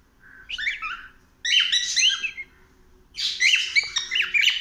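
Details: Cockatiel exploring a house, chirping in three separate bursts of quick warbled whistles and squeaky notes, each burst louder than the one before.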